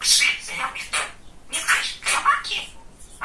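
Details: Talkative male pet budgerigar indoors, producing fast, breathy speech-like chatter with sharp clicks and brief whistled glides between scratchy syllables.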